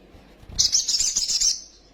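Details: Little spiderhunter lure song for agitating young birds: one intense, high, buzzy rattling trill of about a second, beginning with a soft low knock.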